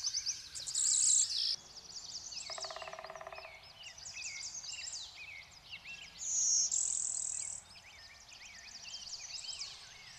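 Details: Connecticut Blue-winged warbler, in an interbreeding zone with Golden-winged Warblers: a high buzzy note opens, a second bright buzz comes about five seconds later, and many other birds' trills and whistles fill the background.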